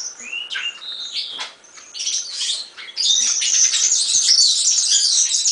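European serin giving its high, fizzy jingle: a rapid, almost continuous stream of tinkling, buzzy notes that runs on without pause.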